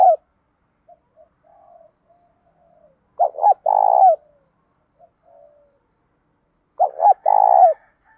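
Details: Cooing spotted dove, a training voice in 'đồng' style mixed with 'thổ' for provoking other doves; two full phrases about three and a half seconds apart, each double hoot followed by a long, throbbing coo, with soft quiet coos between.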